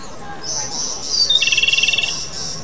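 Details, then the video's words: Japanese robin, a species breeding in Japan, Sakhalin and the Kuril Islands: a high thin whistle followed by a rapid rattling trill of evenly spaced notes lasting about a second, with faint background noise. "日本歌鴝/Japanese Robin"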